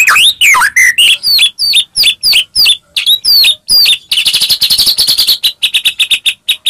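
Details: White-rumped shama song used as a lure to provoke a quiet shama into singing: rapid varied phrases of high whistled notes, upslurred and downslurred sweeps, then a fast run of short repeated chirps.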